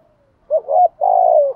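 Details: A single spotted dove coo phrase from male and female decoy birds: a short two-part rising note followed by a long, steady, slightly falling hollow note.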